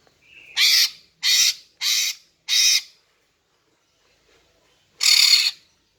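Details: Lure call of a female greater green leafbird to draw males: a brief whistle, then four harsh, grating squawks in quick succession, a pause of two seconds, and one final longer squawk.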